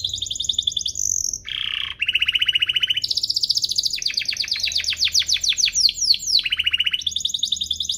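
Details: Domestic canary master song for young canaries: varied rolling trills at several pitches, a low buzzy dip, then rapid sweeping repeated notes and fast even trills.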